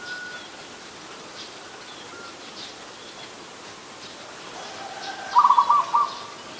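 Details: Zebra dove, adult, Ubon Ratchathani, Thailand, 24 December 2020: after several quiet seconds of distant bird chirps, one brief burst of rapid, clipped cooing notes ending with a detached final coo.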